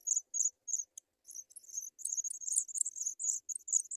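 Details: Nestling African pipits fed white butterflies by parent birds; high, thin squeaks that start spaced and break into a dense, excited chatter of overlapping chirps near the end.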